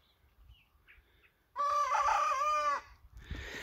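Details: Young cockerel's early crowing: a single harmonic crow lasting just over a second, steady then slightly wavering, rising abruptly from quiet and cutting off cleanly, followed by faint rustling.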